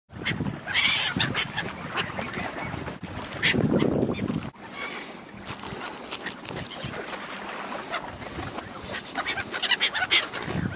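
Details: Gulls at feeding time on the Spree in Berlin, a flock calling and cackling: harsh overlapping squawks and laughing cries in dense bursts, with splashing, wind and crowd noise throughout.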